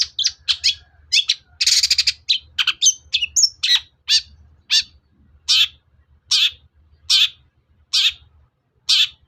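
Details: Long-tailed shrike calling to provoke rival birds into singing: a hurried cluster of rasping chirps and one broad screech, then evenly spaced harsh notes, roughly one per second.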